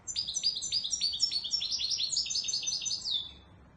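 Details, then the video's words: Authentic Moroccan Wedani Marrakchi European goldfinch in loud, fast song: a rapid run of sharp, repeated downslurred notes, several per second, ending in a drawn-out buzzy note before falling quiet. "تغريد_الحسون_الويداني_المراكشي الأصيل"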